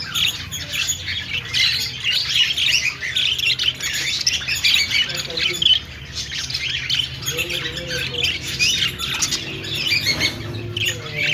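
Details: Budgerigar singing, a busy stream of chirps and grating warbles. A few lower, more tonal sliding notes break in partway through, over a faint hum.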